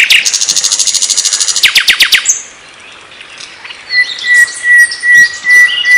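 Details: Flycatcher (sikatan londo) gives a fast, dry high trill, then sharp descending notes, followed by varied twittering and a thin steady whistle.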